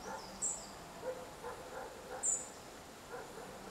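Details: Great spotted woodpecker in Galicia, Spain, in October 2016, giving two sharp, high 'kik' notes about two seconds apart, over soft background chirps and faint outdoor noise.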